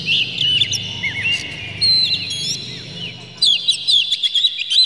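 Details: Oriental magpie-robin song played to provoke birds into singing: clear whistled slurs and glides with scattered sharp chips, ending in a fast, dense run of varied whistles, over a soft low hum.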